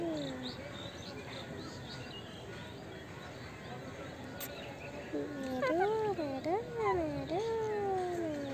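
An Indian ringneck parakeet talks: after a quiet, hum-filled start come several drawn-out, speech-like phrases that waver up and down in pitch over the last few seconds.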